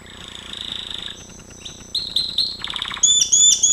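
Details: Gloster canary song used for training: a soft, steady rolling trill that gives way to louder, faster rattles, then bright, sharp whistled notes near the end.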